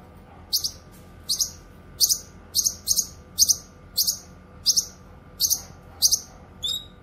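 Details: Gacor cucak kinoy (grey-cheeked bulbul) for training and luring: about a dozen crisp, high double chirps repeated at a steady pace, ending with a thin, wavering whistle.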